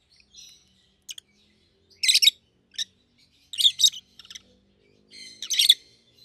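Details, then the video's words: Healthy, full-bodied rosy-faced lovebirds, a yellow and a green, make short doubled shrill chirp bursts spaced about every one and a half seconds, with faint low household sounds underneath. "Lovebird's Sounds"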